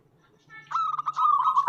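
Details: Local zebra dove singing to provoke other doves: after a faint start, one sustained rolling cooing phrase with a slightly rattling texture, steady in pitch and growing louder toward the end.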